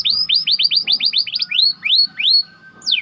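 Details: White canary singing as bait for training other canaries: quick run of repeated downward-slurred whistled notes, slowing into longer swooping whistles, ending with one high descending note.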